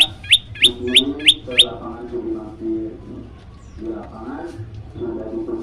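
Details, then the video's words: Five quick high chirps from a yellow-bellied prinia in a provocation master recording, followed by a stretch of low muffled voices and background noise. "masteran burung prenjak lumut bikin emosi burung yang dengar"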